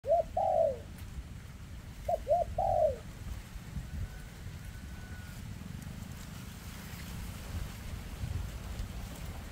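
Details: Spotted dove calling outdoors in 2024, a bird with a leg defect: short cooing phrases of two or three quick notes ending in a longer falling coo, then quiet with low rumbling background noise.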